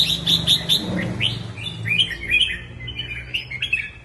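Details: Red-whiskered bulbul singing: a quick run of bright chirped notes, then lower sliding whistles and a rambling series of short warbled phrases, with a low hum underneath.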